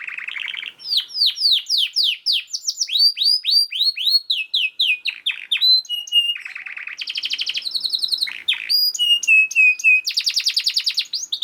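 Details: Fast, tightly packed canary song used as training material for other canaries: a run of descending whistled notes, then rapid trills, buzzy rolls and ringing repeated syllables changing quickly, single bird in a quiet setting.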